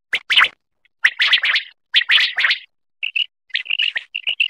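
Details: Common quail (batair) song from Khyber Pakhtunkhwa, Pakistan, where quail are hunted and netted: bursts of dense chattering notes, then a run of short, crisp, evenly pitched whistled notes in quick succession.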